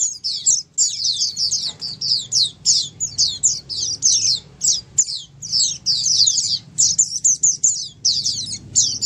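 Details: Oriental white-eyes chattering together as a group, intended to get another white-eye singing; fast, high, slurred chirps packed into nearly unbroken streams, a few clicks and low hum in the background.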